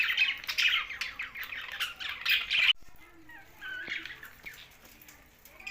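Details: Budgies housed with parrots in Larkana, Sindh: loud rapid chattering chirps for almost three seconds, then stopping abruptly, leaving quieter scattered whistled notes and squeaks.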